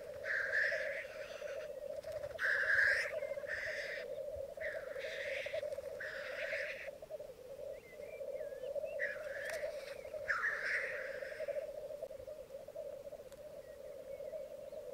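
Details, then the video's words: Morning lek of black grouse on a bog in Mykland in May 2022, twelve males and two females: nonstop low rookooing bubble, with a series of rough hissing bursts and faint thin chirps between them. "Orreleik i Mykland, mai 2022"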